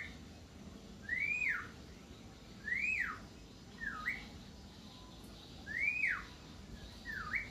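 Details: Jalak kebo (Javan myna) in full persistent song, giving clear whistled arching notes that climb and fall, mixed with short dipping whistles, roughly every one to one and a half seconds.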